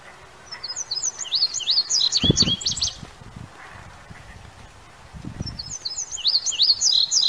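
A bluebird sings two bursts of quick, high, twittering notes, each lasting about two seconds, with low thumps of handling or wind noise between them.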